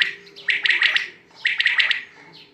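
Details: Two loud, rapid quail call bursts, each a tight cluster of bright clipped notes about a second apart, with a low steady hum underneath.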